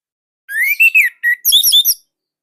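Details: Orange-headed thrush from Indonesia with a short burst of loud song: a rising, warbled whistle, a brief lower note, then a quick cluster of high, bright slurred notes.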